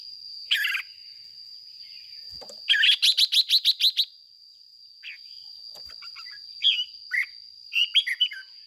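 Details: Caged red-whiskered bulbul used as a lure singer, ché-style song: a lone chirp, then a rapid run of about eight bright repeated notes, followed by scattered warbled phrases, with a constant high electronic whine behind.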